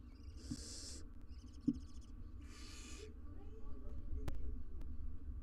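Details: Barn owl family of two adults and three nestlings in a wild nest box, live cam; two broad hissing bursts around a short rattling, chittering call, followed by quieter rustling and one sharp knock.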